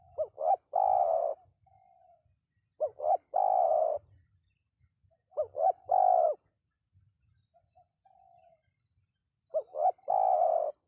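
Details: Spotted dove cooing, played to draw wild birds to answer: four phrases about every three seconds, each two short rising hoots followed by a long, steady, husky coo, with soft low notes between and a faint high hiss.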